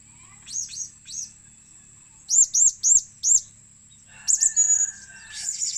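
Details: Blue-crowned hanging parrot calling, used for luring birds: very high, thin squeaky notes, two early single chirps, then a tight run of four looped notes and a final burst of rapid chirps.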